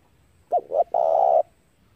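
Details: Single phrase from a spotted dove used to lure doves into traps: two short curved notes then a sustained buzzy coo lasting half a second.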